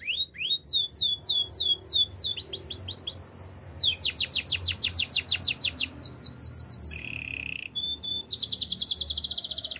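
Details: Canary song described as from the wild, nearly ten seconds of varied tours: fast dropping whistles, rapid sharp repeated strokes, a lower buzzy trill and a closing bright high roll.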